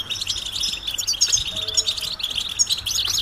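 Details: European goldfinch mating calls, said to stir silent males into singing; fast, dense twittering and tinkling notes, high and continuous, with a brief faint low double tone midway.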